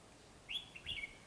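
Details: Red-whiskered bulbul, white-cheeked form, being lured to a trap by a decoy: a single quick rising-then-falling warbled phrase of two linked notes.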